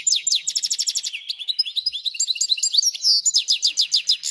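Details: Captive goldfinch × canary hybrid that settled in soon after arriving, delivering continuous song: rapid repeated notes, a descending twittering run, then another fast trill.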